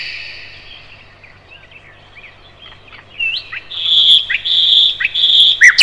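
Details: Thrush nightingale (Luscinia luscinia) sings in Russia: soft, scattered chirps give way to loud, sustained whistles and sharp rising notes, repeated rapidly in a rich phrase.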